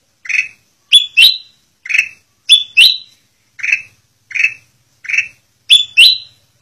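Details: Black-crested bulbul singing as a training recording for caged birds: bright whistled phrases repeat steadily, a mellow lower note answered by two quick sharper upswept whistles, cycling roughly every second.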